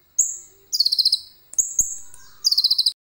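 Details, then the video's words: Common iora (konin) in lively song loaded with cililin-style material, recorded on a phone camera: a high whistled note followed by a fast run of about eight sharp, buzzy chips, repeated twice with a faint lower whistle behind. "KONIN GACOR FULL ISIAN CILILIN JERNIH"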